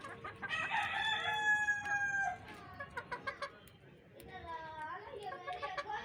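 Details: Farmyard rooster among hens crows for two seconds, a bright harmonic call with a drawn-out middle, then a run of short clucks and a fainter second rooster-like note near the end.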